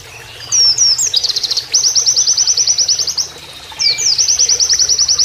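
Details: Canary-like song of an Oriental white-eye for training other birds: three swooping whistles lead into a long rapid trill of high repeated notes, a short pause, then another quick trilled run.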